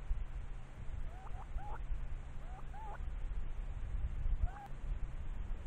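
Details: Nesting Stone-curlew giving thin, slurred whistled calls, paired wavering notes twice and then a single note, over steady low rumbling background noise.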